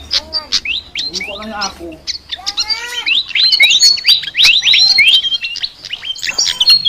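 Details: Chattering ngoceh song of a flycatcher. It opens with lower, harmonic squawky notes and a buzzy burst, then breaks into rapid high chirps and rising whistles, about four notes a second.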